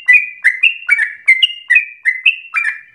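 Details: Yellow-vented bulbul song played to provoke other bulbuls into sustained rapid singing; clear whistled slurs with sharp attacks, about ten notes in three seconds, alternating higher and lower phrases.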